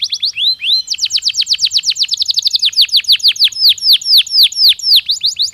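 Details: Canary singing a natural song used to prepare birds for the breeding season: high, rapid trills of repeated downslurred whistles, with a shift in tempo and note shape after the first second, continuous and clear.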